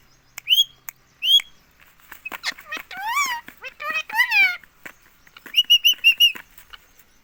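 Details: Pet green ring-neck parrot in India speaking nonstop, repeating "mummy": two short high whistled chirps, then a run of speech-like mimicked syllables with rising and falling tones, ending in a quick series of clipped high notes.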